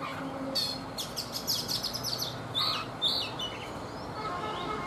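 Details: Morning song of a caged Oriental magpie-robin, caught wild as an adult and kept three seasons: a quick run of sharp high chirps, then a few separate whistled notes over faint background noise.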